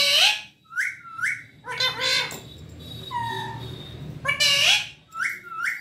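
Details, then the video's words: Talking parrot kept as a pet: gravelly voiced syllables and paired rising whistles, a steady tonal note in the middle, then the same scratchy phrase and rising whistle pair repeated, with faint low background hum. "mera pyara tota"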